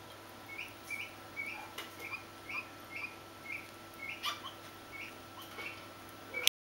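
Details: Swinhoe's pheasant chick giving a steady series of short, high, slightly rising peeps, about two each second, over a low steady hum, with a few soft clicks and knocks in the background.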